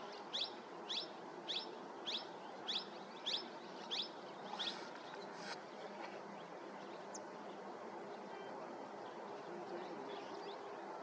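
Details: Grey-necked bunting at Ratapani Wildlife Sanctuary, Madhya Pradesh, on 30 January 2022 at about 8:50 AM, gives about eight short, high, sharp notes, one roughly every half second, fading after five seconds over a steady wind-like hiss.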